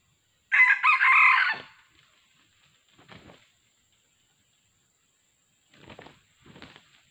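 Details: A wild red junglefowl, lured by decoy in 2020, gives one loud, hoarse crow lasting about a second, clipped short at the end, followed by a few faint rustling knocks.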